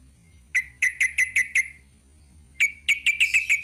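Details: Trucuk, or sooty-headed bulbul, in ropel panjang song: two bursts of five or six crisp, evenly spaced chirps, separated by a quiet gap of about a second.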